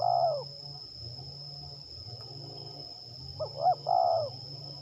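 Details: Spotted dove heard during a trapping session with a decoy in Liwa, West Lampung, Indonesia: one coo ends at the start, and after a pause comes a fresh phrase of short rising hoots and a drawn-out, falling coo, with constant insect whine and low hum.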